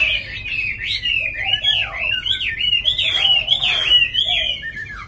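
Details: Chinese hwamei, a tame caged songbird offered in Hanoi, Vietnam, sings a loud, varied run of clear whistled phrases that swoop up and down, with faint lower chatter beneath.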